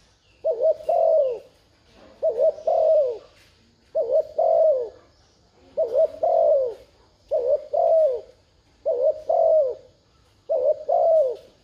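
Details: Spotted dove coos intended to set off a decoy bird, seven regular phrases, each a clipped two-part note leading into a drawn, falling coo, spaced about every one and a half seconds.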